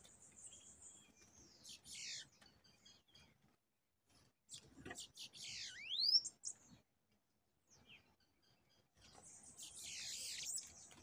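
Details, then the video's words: Bananaquit during a trapping and fighting session, with a pair of wild birds arriving to fight a caged bird: high, thin buzzy hissing bursts at the start and end, with one sharp downswept then rising whistle in between. "VEIO O CASAL DE SIBITE PRA BRIGAR"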